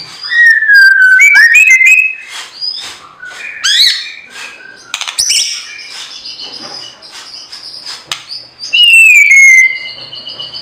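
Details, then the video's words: Lovebird, a small parrot with colorful feathers, giving shrill squawks and rapid, uneven chattering chirps. Downslurred whistled notes rise and fall near the start and again near the end over continuous dense chatter. "The Melodious Sound of Turtledoves, Lovebirds"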